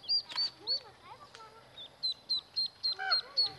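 Mallard ducklings peep in high, thin, down-slurred notes, repeated about three times a second, with a few softer lower chirps mixed in.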